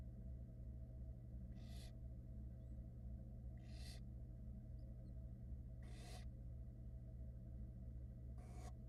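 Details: Nestling barn owls, from a brood hatched in February 2022 in Florida, protest as the wet mother dries herself. Four long, breathy screeches come about two seconds apart, with a persistent low hum underneath.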